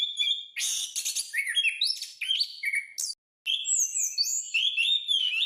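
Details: Orange-headed thrush singing, recorded to train caged birds: loud varied warbling with harsh chattering notes, then after a brief pause clear, sweet whistled phrases that rise and fall.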